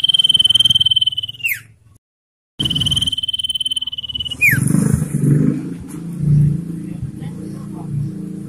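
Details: Common iora song used as a lure and training audio for captive birds: two long, even, buzzy trills, each ending in a sharp downward slur, separated by a short silence, then low rumbling noise.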